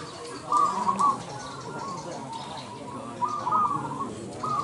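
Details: Indonesian contest zebra dove: short vibrating coo phrases in separate bursts, one near the start and another toward the end, with a quieter stretch between and soft background chatter.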